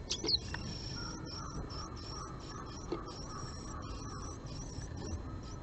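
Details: Japanese tits on 20 March 2022, a female visiting a nest box holding a male in the morning, give thin, very high, short notes about every half second over a faint hum and low rumble.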